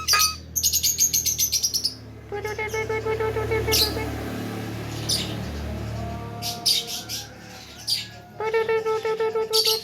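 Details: Talkative, tame Javan myna running through its full repertoire: rapid rattling pulses and a high trilled whistle, long buzzy harmonic notes, sharp chips, and a closing burst of fast rattling.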